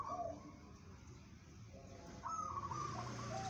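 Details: Local zebra dove, a bold-tempered bird suited to singing contests, giving short pulsed coos, low at first, then a brighter rolling phrase after a quiet pause, over steady low background rumble.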